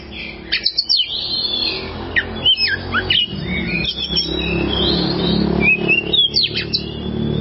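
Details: Kacer (oriental magpie-robin) masteran song for tutoring birds. Scattered sharp whistles and rapid up-and-down notes come over a steady low background hum that grows louder toward the end.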